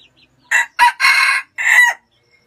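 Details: Red junglefowl crowing in Vietnam: one loud, clipped crow in four bursts over about one and a half seconds, a short note, a second short note, a long held middle note, then a falling final note, against near silence.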